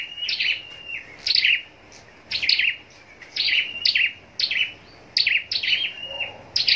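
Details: Scarlet-backed flowerpecker kept for singing contests produces shrill, tinkling high phrases of quick down-slurred notes, several bursts with short silent spaces between.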